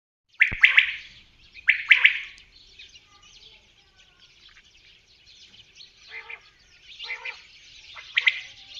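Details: Common quail calling: two loud, sharp three-note phrases in the first two seconds, followed by fainter, scratchy high chatter and a few softer notes.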